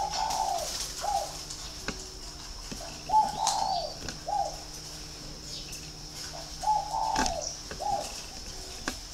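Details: Captive spotted dove at a bird farm in Ba Vì, Hanoi, Vietnam, with a very ringing, resonant voice, repeating short cooing phrases of two to four hollow notes several times with brief gaps, over a steady high hiss.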